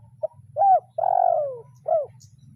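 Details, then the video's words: Spotted dove, a decoy trained in the kuk 0-1 style, calling a rival: one phrase of soft short note, arched coo, long falling coo and a final arched note, over a steady low hum. "Suara Tekukur Memanggil Lawan / Pikat ajaran kuk 0-1"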